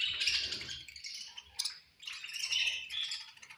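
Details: Caged budgerigars at feeding time: dense high chattering and warbling chirps from several birds, overlapping in bursts with brief pauses.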